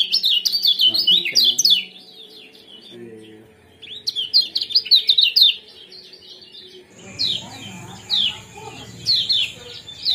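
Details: Lemon-bellied white-eye 'ciak jos' chatter used to stimulate breeding: loud clusters of rapid high chirps, a brief lull with low sounds, another burst, then spaced single chirps over a steady hum.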